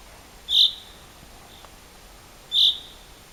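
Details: A bird at Rogozyanske Reservoir, Kharkiv region, calls on 4 April 2010 with two short, loud, high-pitched chips two seconds apart. A faint softer note falls between them against quiet background hiss.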